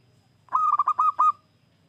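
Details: Male zebra dove from the wild, used as a lure for other doves, gives a short, quick phrase of about six hollow, purring coos on an even pitch against a quiet background.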